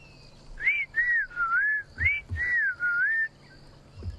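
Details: A tchagra in South Africa on a quiet, overcast morning after heavy rain gives two runs of clear, slurred whistles, rising then dipping and falling, the second echoing the first; a low rumble follows.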